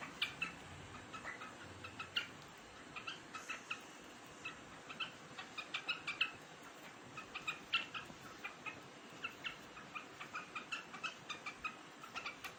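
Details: A large quail pecking at grain in summer, recorded 3 July 2021, gives short clipped chirping notes in uneven bursts, some rapid runs and some pauses, over a steady background hiss.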